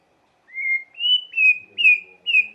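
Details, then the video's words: Lure song of a White-rumped shama: five clear, sustained whistled notes in a row, each slightly drooping, spaced about half a second apart. "Lengkingan KICAU MURAI yang satu ini wajib disimak untuk pancingan emosi Murai Batu"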